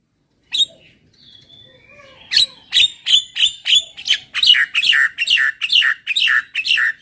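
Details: Javan myna song: a faint whistled note, then a fast run of loud, harsh chattering notes about three per second, bright and grating, with a few clear whistled tones mixed in.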